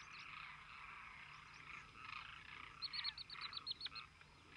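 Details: Demoiselle crane flock keeps up a blended chorus of rolling calls, while near the end a rapid series of sharp, high chirps from another bird cuts in about ten times.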